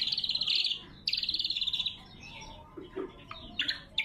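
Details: Lesser green leafbird in loud, sharp lure and training song: two long buzzy trilled phrases with rapid pulses, then shorter scratchy notes and chips, with a faint low steady tone underneath.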